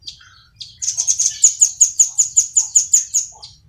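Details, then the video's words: Velvet-fronted nuthatch, a tree-climbing bird, used as a tutor recording: a fast, high-pitched series of sharp chipping notes, about five per second, rising slightly then steady, over a faint low hum. "BURUNG RAMBATAN PARUH MERAH"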